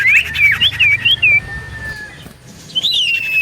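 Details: Common iora song used as a lure to draw responses: a quick series of looping, wavy whistles, then a long steady whistle, and a pause before a last looped phrase.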